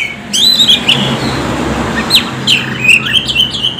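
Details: Oriental magpie-robin lure song for stimulating birds to sing: a few clear whistled slurs and a sharp upward sweep, heard over a noticeable hiss and low background rumble.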